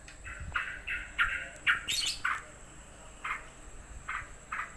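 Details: Yellow-vented bulbul, stirred up by another bird coming near, gives a string of short, harsh squawking notes, followed by a brief scratchy burst and then more spaced squawks.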